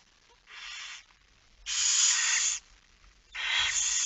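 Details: Barn owl nest in Friesland, Netherlands, at 22:45 on 10 September 2019 during feeding; three rasping hisses, a soft one followed by two louder, longer ones.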